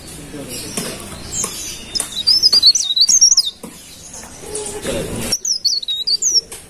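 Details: Golden-bellied gerygone singing energetically: quick sequences of sweet, high, undulating whistled notes in two phrases, over a low background of rustling and knocking.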